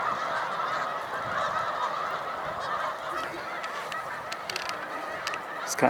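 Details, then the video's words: Large flocks of Snow Geese resting on Cayuga Lake, New York, during spring migration on 20 March 2021: a dense, unbroken clamour of overlapping nasal honks, with a few sharp clicks and a louder knock at the end. "Snow Geese On Cayuga Lake, 3/20/2021"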